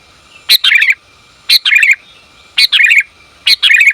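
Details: Female sooty-headed bulbul calling to the male: four phrases about one second apart, each a sharp high note followed by a short, wavering, slightly descending trill of chirps.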